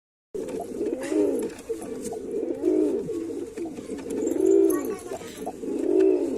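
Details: Male white pigeon cooing in a repeated series of low, rounded, arching coos, roughly one every one and a half seconds, with a steady room hum underneath.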